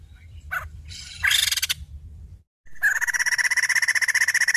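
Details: Female white-crested laughingthrush starting with rough, buzzy scratchy bursts, then after a brief gap pouring out a sustained fast chatter of harsh, regularly pulsed notes.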